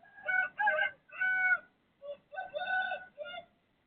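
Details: Pre-dawn crowing by a neighbouring rooster at 3:35 am, 18 December 2024: a rough crow broken into several pulsing syllables, then a second crow with rising, stuttering bursts and a drawn-out middle note.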